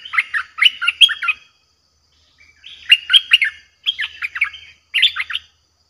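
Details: Fierce lure song of a Streak-eared bulbul, played to draw in aggressive wild birds. Four bursts of rapid, bubbly chattering notes, each about a second long, separated by short pauses, on a clean, quiet background.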